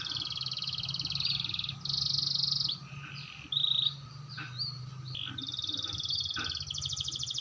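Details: Canary practising the roll, clear-toned: varied high phrases alternating buzzy trills, short whistled slurs and quick sweeping notes, with a rolling trill at the close. Low hum underneath throughout.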